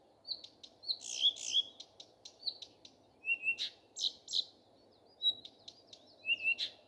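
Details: Morning singing of a common nightingale: pure whistled notes, rich buzzy bursts and rapid clicks mix in lively, varied phrases with short gaps. A low hum is faintly audible.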